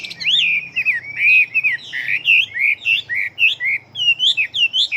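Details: Chinese hwamei, a fighting bird of large build that sings readily, pouring out loud, rich whistled phrases. Notes curve up and down in a steady, rapid series with short gaps between them.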